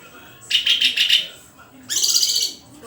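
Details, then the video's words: Two phrases from a white-rumped shama: a rapid trill of evenly spaced chips lasting about a second, then after a gap a grating, buzzy high-pitched burst. "SUARA INDAH BURUNG MURAI GACORRRRR!!!"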